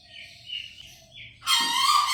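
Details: Green junglefowl (Gallus varius) training recording: loud, hoarse, rasping crow in the final second, after soft high chirps from other small birds.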